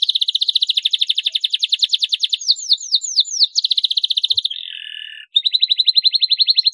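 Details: Vigorous canary song for coaxing other canaries to sing. Long unbroken high rolling trills give way to a run of swooping whistled notes, then a brief harsher buzz, then the rolling trill again.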